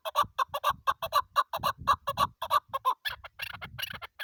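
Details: A chukar partridge, tagged as female and kept for hunting, gives a rapid series of throaty clucking 'chuck' notes, about four a second, breaking into rougher, scratchier notes toward the end.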